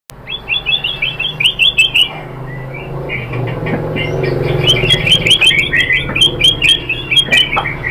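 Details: White-rumped shama, a lure recording to provoke singing: rapid runs of bright chirped notes near the high register, a pause, then another burst of repeated notes, over a low steady hum.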